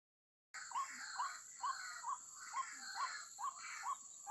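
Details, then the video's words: After a brief silence, a waterhen trapping lure begins: short upslurred mid-pitched notes repeated about twice a second over a steady broad hiss. "Burung Pikat Ruak Ruak"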